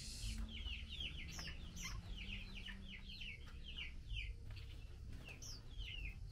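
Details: Calling female Chinese hwamei summoning her mate during feeding on mealworms: steady stream of sharp down-slurred chirps in close succession, a few higher squeaky notes mixed in, over faint low hum.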